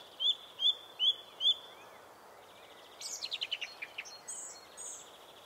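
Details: Song Thrush, blackbird-sized brown thrush with spotted breast, singing: four loud slurred whistles repeated, then a fast scratchy rattle of high clicking notes, followed by quieter high twitters.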